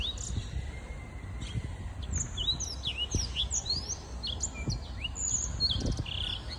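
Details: Six-month-old young Black-throated canary singing a fast, unbroken twitter of high, varied chirps and quick slurred notes, over a low rumble of wind or distant noise.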